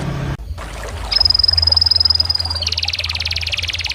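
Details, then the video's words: Canary song: a long thin steady whistle held for over a second, breaking into a rapid buzzy rolling trill, with low hum beneath. "The natural beauty of the amazing chirping of small birds"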